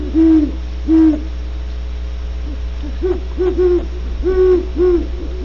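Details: Great horned owl at Starr Ranch, California, giving deep, soft hoots: two spaced single notes, then a quicker stuttering run of four or five, over a steady low hum.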